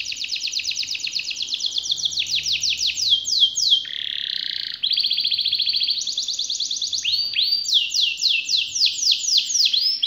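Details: Canary long rolling song: swooping whistled notes, a lower harsh burst, then fast trills and more rising-falling whistles in quick succession.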